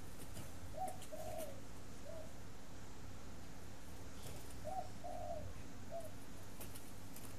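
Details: Spotted dove, a breeding bird kept at a dove-rearing garden in Ba Vi, Hanoi, Vietnam, cooing: a soft three-part phrase with a short note, a longer wavering coo and a lower closing note, delivered twice about four seconds apart over a low steady hum.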